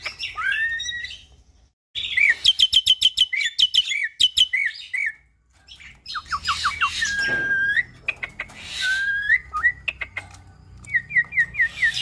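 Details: Nias hill myna x Asian pied starling hybrid in energetic tutor song for cage birds: slurred whistles, a fast train of clicking ticks, falling whistled phrases, long level whistles, and a final rapid series of short notes.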